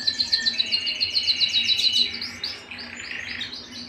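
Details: Domestic canary at home singing a fast, bright trill of sharp repeated notes, then shifting into looser, swooping warbled phrases.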